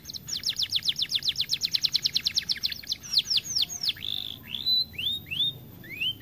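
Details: Canary said to be reluctant to sing because it is too fat, here singing: a fast, even trill of high downward-sweeping notes for about three seconds, then slower, separate slurred whistles.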